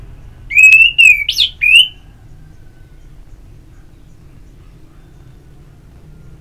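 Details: Short ngeplong song burst of an orange-headed thrush, used as singing therapy: a whistled phrase with a sharp upward sweep, followed by several seconds of near silence.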